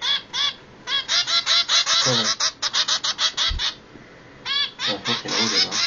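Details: Hungry zebra finch nestlings, two baby birds, beg insistently with rasping, rapidly repeated calls in quick runs, a brief lull near the middle, then another loud rasping burst.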